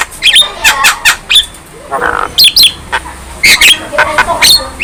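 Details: Javan myna, young and in full voice with nodding display: scattered squeaky whistles, sharp chips and short harsh squawks at irregular intervals, with a faint murmur in the background.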